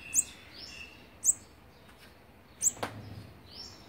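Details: Olive-backed sunbird feeding its young, day sixteen, 3 October 2019; three piercing high chirps at uneven intervals, one followed by a sharp click, in a quiet setting.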